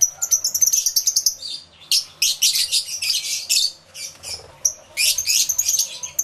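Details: Lovebird flock in an aviary, captured live on a camera with two external microphones: rapid high, harsh chirps in clustered bursts with short pauses between them.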